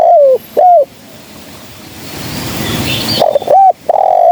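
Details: Female spotted dove recorded as a trapping lure: the tail of one cooing phrase with a falling note, a quiet gap with faint high bird chirps, then a new phrase of short hooked coos.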